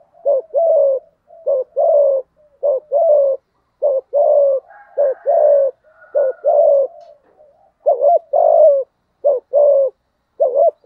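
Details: Spotted dove cooing in the thổ style to provoke a rival male: steady run of low coos, each a short note followed by a longer falling one, repeated about once a second, with a faint higher whistle midway.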